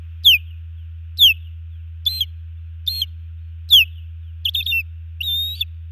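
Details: Osprey pair at a nest camera in Hellgate Canyon, Missoula, Montana, 15 June 2019: the female calls while the male drives off an intruding osprey. Repeated shrill, descending whistled cheeps, later notes harsher and more broken, roughly one per second, over low hum.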